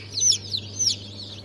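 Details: A few high, sharp, falling cheeps from newly hatched Brahma, Fizan, Australorp and Legbar chicks, hatched 3 March 2023, spaced about half a second apart over a soft low hum.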